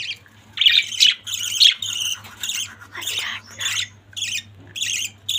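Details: Budgerigar family giving scratchy, buzzy chirps and squawks in uneven bursts about every half second, some notes sliding downward, over a constant low electrical hum.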